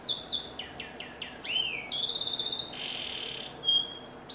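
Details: Vigorously singing canary with ornate phrasing: a quick series of descending whistled swoops, then a rapid metallic rattle and a long steady high whistle, closing with a sharp chip.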